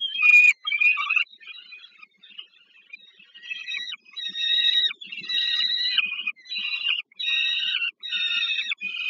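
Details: During an adult's food delivery to a young bird at the Żerań power plant nest in Warsaw, Poland, on 15 August 2022, peregrine falcons give a loud opening screech. Quieter notes follow, then drawn-out, grating wails repeated about every second.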